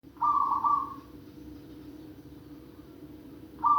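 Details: Zebra dove calling: a soft, slightly rolling two-part coo, then the start of another coo near the end, over a steady low hum.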